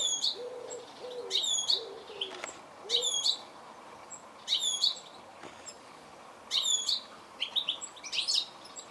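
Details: Goldfinch repeating sharp, high chirp clusters roughly every one and a half seconds, with a low dove coo at the start and faint clicks.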